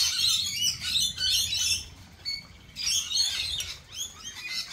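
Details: At a lorikeet cafe, lorikeets give two loud clusters of harsh, high screeching squawks, with quieter scratchy chatter between them.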